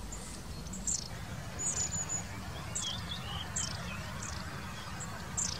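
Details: Long-tailed tit calling: thin, very high, short notes spaced about a second apart, some with a brief downward slur, over a steady low rumble of background noise.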